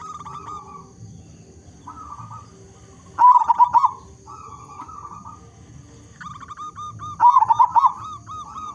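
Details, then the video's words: Zebra dove, local bird with a large voice, recorded as a prompt for other zebra doves to sing. Two loud rippling coo phrases about four seconds apart stand out among softer repeated coos of neighbouring doves. A thin high hum continues. "Perkutut Lokal Gacor Suara Besar Cocok Untuk Pancingan Semua Jenis Burung Perkutut Agar Bunyi"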